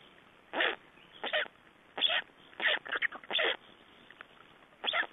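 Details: Black storks at a nest in Estonia, 3 June 2011, at an exchange and feeding: short harsh grating calls, singly or in quick pairs, roughly every half second to second, with brief gaps of quiet.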